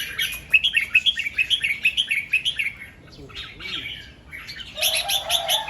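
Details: Morning song of a red-whiskered bulbul in the doubled 2-3 and 'rik' manner: a fast string of about ten sharp, bouncy whistled notes, a softer pause, then another burst of chirps with a low crowing sound underneath.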